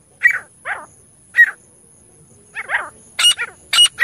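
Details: Francolin call used to lure birds in hunting: scattered, hoarse, down-slurred notes spaced irregularly, then a few sharper, louder bursts near the end, against a quiet background.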